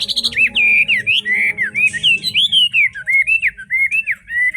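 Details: Forest-voiced Chinese hwamei singing in fog, opening with a high sharp burst, then a flowing chain of mellow, wavering whistles gliding up and down in steady succession, backed by a faint low hum.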